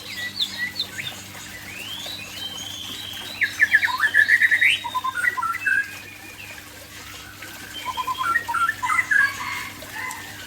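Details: White-rumped shama, Aceh variety, in a relaxed afternoon song: scattered soft whistles, then a loud run of rapid stuttering notes rising in pitch, a brief quieter spell and another burst of quick rising trills, with faint background hum.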